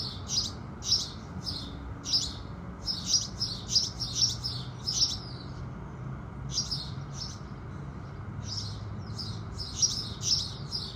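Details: Early-morning house sparrows chirp in rapid clusters, pause for a couple of seconds, then resume with dense, overlapping chirps; soft low rumble underneath.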